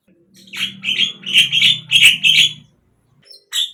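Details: Captive-bird lure song of the Javan myna (jalak kebo): a chain of buzzy, squeaky whistled notes over a low background hum, ending with a short pause and one more call.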